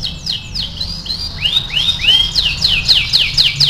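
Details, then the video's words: AF canary singing vigorously in a masteran song-training recording: swift downward-sweeping whistled notes, then upward-curving slurred phrases, ending in bright rapid descending trills repeated about four times a second, with a low hum underneath. "MASTERAN KENARI AF GACOR"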